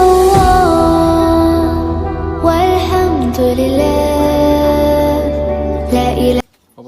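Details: Sustained, droning instrumental music plays throughout, with no animal voice audible. It ends abruptly in near silence.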